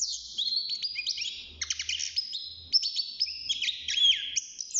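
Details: Young caged European goldfinch, six months old, just beginning to sing inside its cage: a lively, continuous twittering of high, sharp notes, short buzzy trills and clear whistled slurs, delivered in quick irregular bursts with faint low background hum.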